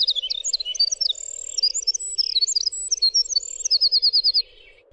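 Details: Winter wren (Troglodytes hiemalis) song: a long, rapid, high tumbling song of tinkling notes and trills, ending in a fast even rattle, over a steady low hum.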